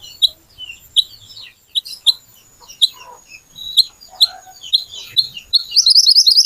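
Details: Singing little pied flycatcher, played to lure other birds into song: sharp high chirps repeated roughly every half second, mixed with short slurred notes, ending in a rapid shrill rattling trill.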